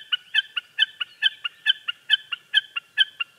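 Common Snipe giving a rapid, even series of hard, clipped notes, about two to three a second, steady in pitch and pace, with no other sounds.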